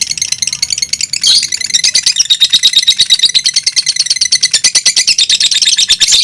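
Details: High, rapid chattering of two fighter lovebirds in close contest: an uneven opening burst, then a steady run of quick pulsed notes to the end.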